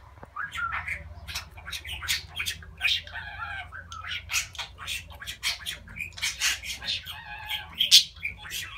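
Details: Pet budgerigar talking, said to be declaring love: a quiet, continuous warble of chattering, speech-like syllables mixed with squeaks and short whistles over a low background hum.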